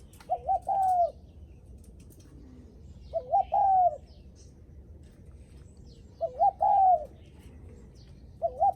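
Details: Spotted dove in its guest-greeting cooing, said to welcome visitors home: a steady series of phrases roughly every three seconds, each two short hoots then a sustained descending croon, ending on the start of another.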